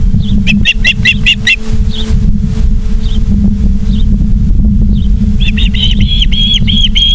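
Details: Osprey at its nest in Charlo, Montana, 24 August 2023, 17:43: a quick run of high piping whistles, fainter scattered notes, then a loud series of slightly rising whistled calls, all over constant low hum.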